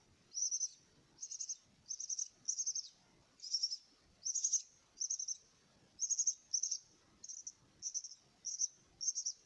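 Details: Quieter, high-pitched, raspy begging bursts from myna chicks being fed, spaced about half a second apart in a regular rhythm, with faint background hiss.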